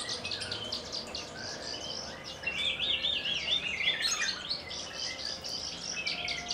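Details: Javan bush lark from Kulon Progo, Indonesia, a collection bird singing Jambul style. A fast, high twittering leads into a wavering, zigzag whistled phrase in the middle, then more rapid chirps follow.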